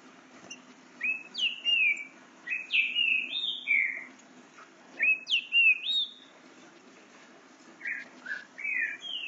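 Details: An 8-month-old captive-bred Green-winged Saltator (Saltator similis) learning to sing: quick clear whistled phrases, sliding and rising, delivered in short bursts with brief pauses; faint background hum.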